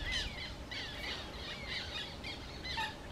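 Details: Black terns recorded at Łąka reservoir, 14 May 2021, giving quick strings of short, grating, chevron-shaped calls, several per second, over faint background noise.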